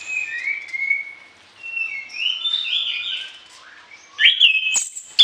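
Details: An orange-headed thrush sings a varied song used for tutoring other birds, morning and evening: smooth whistled notes gliding up and down in linked phrases, ending with quick sharp high notes and clicks.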